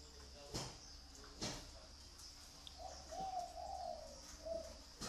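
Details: Zebra dove kept in Ba Vì, Hanoi, Vietnam. After two sharp knocks comes a short run of soft, trilled coos, slightly rising then falling, with a low steady hum beneath.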